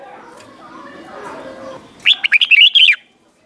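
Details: Red-whiskered bulbul; song; tutor song for teaching young birds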